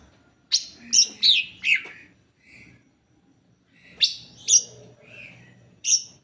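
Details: Lure song of the greater green leafbird, meant to get others singing: a fast cluster of four sharp, high, downslurred notes, a quiet gap, then another burst of bright chirps.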